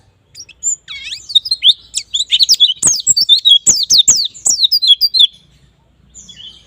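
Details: White-eye (pleci) lure song for prompting fast ngalas and nembak singing. It opens with a falling whistle, then a dense chatter of high rising and dropping chirps with clicks, fading out after five seconds.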